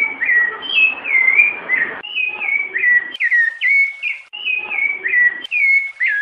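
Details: Rufous-bellied thrush singing mellow, fluty whistled phrases of slurred notes in quick runs of about two per second with brief pauses; the recording is said to contain female calls.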